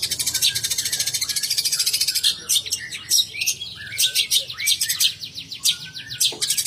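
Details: Long-tailed shrike from Banyuwangi: a fast, even rattling trill for about two seconds, then a varied series of sharp chirps and brief slurred whistles.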